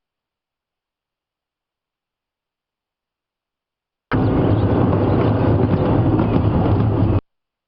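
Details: Four seconds of silence, then about three seconds of steady, loud, low rumbling noise, like an engine or strong wind, with no animal voice.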